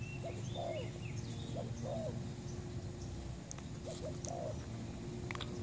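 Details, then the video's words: Spotted dove coos, a new bird used as a trapping lure: short two-part hoarse coo phrases separated by pauses of about a second, with high thin chirps from other birds and steady low hum. "pikat terkukur burung baru"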